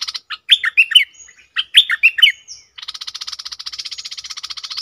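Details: Red-whiskered bulbul kept as a decoy bird, uttering bright slurred whistled phrases in two bursts, followed by a long, even, rapid buzzy chatter of repeated notes.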